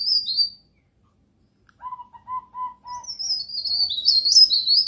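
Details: Pied bush chat (pare pare) tutor song: a brief high twitter, silence, then four or five steady low whistled notes from another source, overlapped by a long bright run of scratchy, tumbling high warbles.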